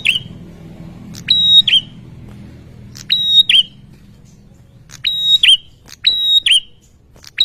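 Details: Excited ashy tailorbird responding to a lure sound with about five phrases, each a hard click followed by a flat high ringing whistle and a brief falling curl, delivered in pairs with short gaps over a soft low drone.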